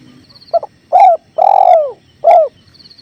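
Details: Spotted dove calling actively over a clear river: a brief doubled note, then a fuller coo, a long note sliding downward, and a short closing coo. Faint high chirps and a low rushing murmur of flowing water sit behind it.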